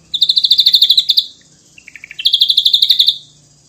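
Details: Ashy drongo giving two quick, high, pulsed trills in the tight 'nembak' style, separated by a short string of lower chirping notes.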